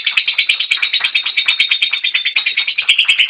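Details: Lovebird in a long ngekek trill: fast, even, high-pitched chattering pulses, about six per second, continuing steadily through the short excerpt with a quiet background.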